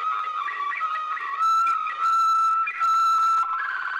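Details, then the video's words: Waterslager canary song from an old record made in Belgium: a sustained, steady whistled tone with bubbling, rolling passages. Three louder, buzzier bursts break in before the phrase shifts slightly higher at the end. "Old Canary Waterslager Song - カナリアの鳴き声"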